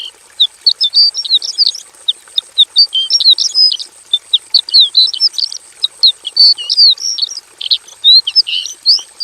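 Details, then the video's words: Javan bush lark in a simple aviary delivering a busy, quieter twitter: dense scattered high chirps and short slurred notes with little pause, over a constant thin high hiss. "KICAU SUARA BURUNG BRANJANGAN JAVANICA GACOR FULL ISIAN BIKIN MERDU"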